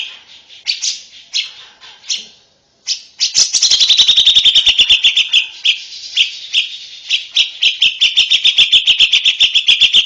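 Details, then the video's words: Lovebird song for tutoring young lovebirds: a few spaced squeaky chirps, a short pause, then a long continuous rapid chatter of shrill buzzy notes and trills. "BEGINILAH KICAU LOVEBIRD HARGA SUPER MAHAL, MASTERAN UNTUK LOVEBIRD BAKALAN"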